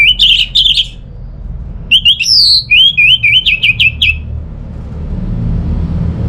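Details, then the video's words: Orange-headed thrush (Geokichla citrina) singing loud, varied whistled phrases: two short bursts, a pause, then a quick string of slurred, rising and falling notes, over a low hum. "Gak Sabar ANIS MERAH Mau Nyaut Gacor"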